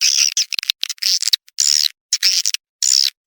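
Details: Swiftlet attracting call in the Lintas Borneo mix: choppy high twittering bursts, each a fraction of a second, with some harsher rattles in between and clean silences separating them.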